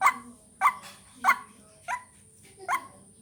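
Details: Short stretch of a white-breasted waterhen lure call: five rough, emphatic notes spaced a little over half a second apart, the fourth softer, over a low murmuring hum.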